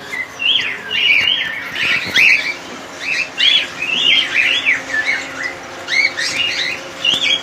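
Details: Several cockatiels of a colony calling continuously, a dense run of bright, warbling, up-and-down chirps with little pause between them.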